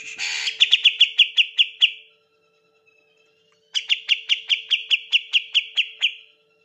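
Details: Greater green leafbird, a show-ready kept bird used to provoke silent leafbirds into singing, firing two quick bursts of about ten sharp, high chirps each in under two seconds, over a faint steady low hum.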